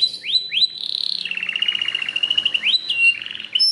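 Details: Belgian canary song: two rising swoops, a loud sustained note, then a long buzzy rolling trill and further upslurred notes, with a soft low background hum.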